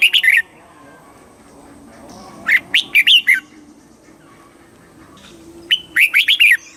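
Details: Red-whiskered bulbul, Thai southern master-song style, used to stir up birds and train young birds: three quick phrases of four to five sharp, sweet whistled notes, separated by pauses of about two to three seconds.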